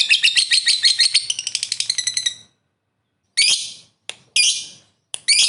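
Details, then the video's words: Lovebird ngekek song meant to rouse other lovebirds: a fast series of high chattering pulses for about two seconds, then silence broken by short abrupt bursts of harsh high chatter. "Suara Burung Lovebird Ngekek Panjang Pintar Naikkan Emosi"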